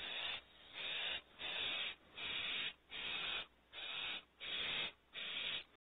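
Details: Barn owl owlet begging at night in a nest cavity in California, around the first prey delivery: a series of eight loud, rasping hisses, each about half a second long, repeated steadily with short pauses.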